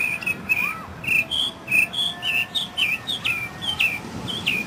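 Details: Mockingbird (sinsonte) singing, recorded in 2006: a varied run of short, high whistled and slurred notes, some rising and some falling, about two per second, with some phrases repeated, over a faint steady hiss.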